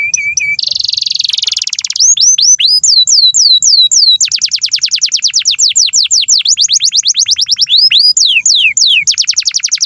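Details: Long canary master song, played to train young birds and stalled singers: a brief steady whistle, then long runs of rapid downward-sweeping whistled notes repeated several times a second, loud and continuous throughout.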